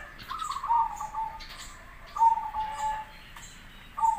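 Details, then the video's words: Zebra dove song, local and crossbred birds, recorded as a master for other doves to answer. Soft, high cooing phrases of quick staccato notes, separated by short gaps, with faint background bird chirps. "Suara perkutut lokal vs Krosing"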